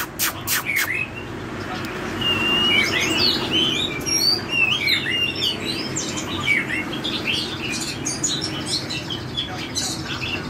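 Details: Oriental magpie-robin in full forest-style song: rapid, varied whistles, upslurs and twittering notes delivered in bursts, over constant background hiss and a few sharp clicks at the start.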